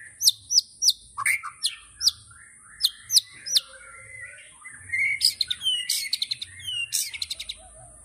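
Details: White-rumped shama in tembakan mode: sharp high downward chips spaced unevenly, a few lower warbles, then a fast rattling series of clipped notes near the end, with a soft low background rumble.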